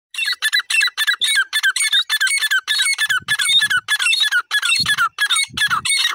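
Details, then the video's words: Grey francolin (irani teetar) calling: a rapid, steady run of loud, shrill, harsh squawking notes, about three per second without a break, with a faint low thump now and then in the background. "irani teetar ki lovely awaz lovely voice"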